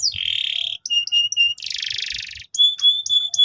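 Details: Canary song used to train young canaries: a long buzzy trill, short clipped whistles, a broad rattling roll, then steady repeated whistled notes, with faint low background noise.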